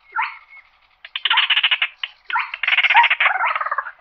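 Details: Slaty-breasted rail summoning the flock with a rough nasal note, then fast stuttering clicks that swell into loud harsh rattles, nearly continuous toward the end.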